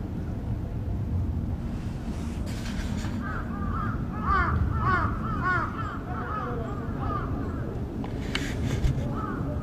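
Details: At Aoba no Mori Park on 28 May 2017, a crow utters an earthquake warning call: rapid runs of harsh, arching caws clustered mid-clip, with brief rustling noises and constant low-pitched background hum.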